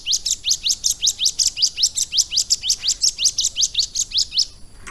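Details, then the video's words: Caged Bar-winged Prinia singing lovebird-learned material: clear rising high sweeps repeated about four times a second in a rhythmic, even series lasting several seconds. "CIBLEK GUNUNG GACOR ISIAN LOVE BIRD"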